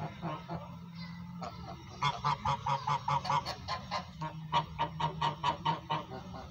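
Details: A goose talking to its owner, calling in a rapid run of short nasal honks, about two per second, louder and more regular in the second half, over a low steady hum.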